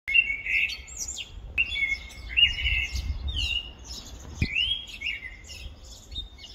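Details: A male common blackbird's spring song in Vallagarina, Trentino: rich, fluting warbled phrases, each ending in higher squeaky twitters, with short pauses between; a single sharp knock midway.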